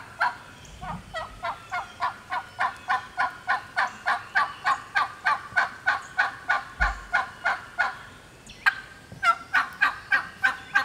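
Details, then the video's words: A lone wild turkey hen, possibly already nesting, calls in the Georgia turkey woods in a fast, steady run of raspy yelps, about three a second, then breaks into sharper, irregular cutting and clucks near the end. "Hear that old hen yelping and cutting and clucking like that."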